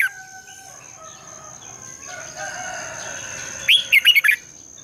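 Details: A red-whiskered bulbul gives its morning competitive song, a long twisted double voice used as a lure. After quiet, blurred background whistling, a single brief phrase of five fast rolling warbled notes ends the stretch.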